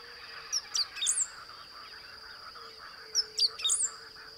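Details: Lowland song of a great pampa-finch, Blue-throated Macaw Reserve, Beni savanna, Bolivia: two identical high phrases about three seconds apart, each of thin descending whistles then a squeaky rising-falling flourish, with steady insect drone and faint low hum behind.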